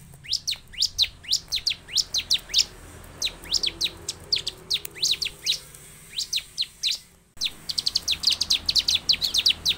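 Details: Bar-winged prinia song played to coax caged birds into singing: evenly spaced sharp, high chirps, a short silent break, then a faster, denser burst of notes.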